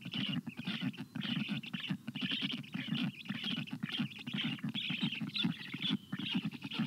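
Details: Black stork chicks on their nest, 25 June 2022, begging for water in the heat. Steady stream of fast, grating pulses with a squeaky upper edge, a few short dips in loudness.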